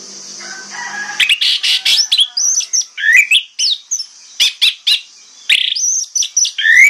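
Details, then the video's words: Orange-headed thrush singing in the morning as a lure to draw other thrushes to answer; rapid bursts of sharp high whistled and scratchy notes, varied phrases strung densely together after a faint opening, with steady background hiss. "PANCINGAN ANIS MERAH PAGI HARI|| ANIS MERAH LAIN AUTO NYAUT"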